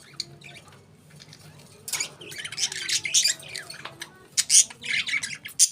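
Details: Caged budgerigars chirping: a busy chatter of rapid, bright, scratchy chirps and squeaky warbles, building in loudness through the second half, with several overlapping birds.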